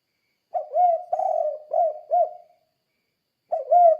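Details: Spotted dove singing 'kuk 2' style, used to coax other doves into song: one complete four-coo phrase of low, mellow notes, then, after a pause, the start of the next phrase.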